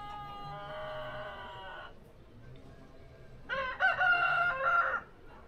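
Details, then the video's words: A Brahma rooster gives two hoarse, harmonic-rich crows, the second louder and ending in a long held note, over a low background hum. "brahma horozu ötüşü brahma rooster"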